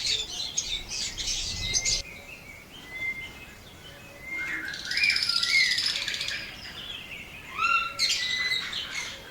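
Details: Blue opaline and parblue opaline pet lovebirds in Pakistan: scattered sharp chirps and a few short rising whistled notes, with a loud burst of high chatter in the middle and again near the end.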